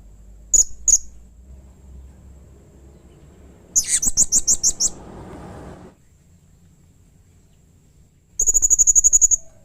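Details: Excited Blue-crowned hanging parrot calling harshly, said to make other hanging parrots call back: two thin chips, then a rough burst of rapid high notes, and after a pause a steady, fast string of piercing ticks.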